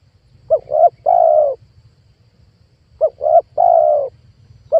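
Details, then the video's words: Luring call of a spotted dove for trapping wild birds: two full phrases of two short coos and a drawn-out coo, with another phrase just starting at the end, over faint low noise. "PANGGILAN TUKUKUR PIKAT 2022 COCOK BUAT PANCINGAN TEKUKUR LIAR"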